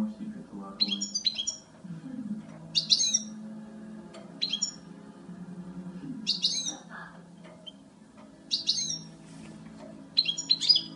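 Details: High, tinkling twitter bursts from a female European goldfinch, spaced irregularly with short pauses, over a low, steady background murmur.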